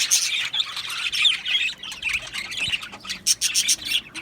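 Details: Budgerigars kept as an aviary colony give bright chirps, squeaks and short whistled notes, busy at first, then thinning into spaced sharp squawks and clicks toward the end.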